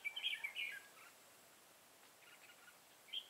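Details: Red-whiskered bulbul decoy singing in a fight to attract wild bulbuls to a trap, recorded 25 September 2018. A quick, bubbly warbled phrase opens, then a quiet gap. Faint distant notes and a short chirp close it.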